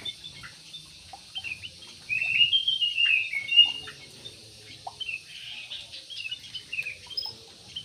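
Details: Aviary-kept yellow-vented bulbul, known locally as trucuk, gives one clear bubbling warble lasting over a second midway, surrounded by sparse soft chirps and faint rustling.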